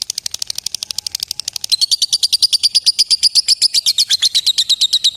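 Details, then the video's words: Lovebird calling a rival; a quick, softer chattering opens the clip, then after almost two seconds it shifts into a louder, slower, even trill of piercing, high ticking notes that lasts to the end. "Suara Burung LOVEBIRD Memanggil LAWAN Bikin LB Lain ikut NGETIK SAMBUNG NGEKEK. LABET NGETIK PANJANG"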